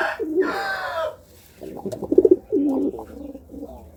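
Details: Low, bubbling coos from a courting pigeon follow an opening harsh, drawn-out call from another bird. The coos come in short, pulsing clusters.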